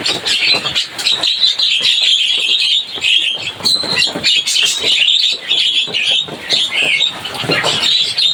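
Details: Noisy chirping of a Javan myna: continuous raspy, scratchy chatter with clicks and squeaky notes tumbling over one another for eight seconds.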